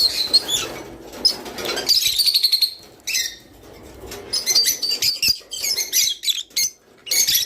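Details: Java sparrow singing to stimulate pairing: a buzzy, rapidly pulsed high trill, then scattered bright chirps and clicks arriving in quick irregular bursts.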